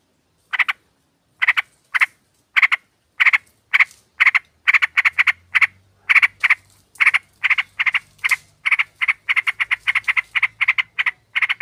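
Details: Female sooty-headed bulbul calling to a male, played to lure birds and make them call eagerly: harsh rasping notes starting widely spaced, then speeding into quicker, crowded bursts, with a faint low hum beneath.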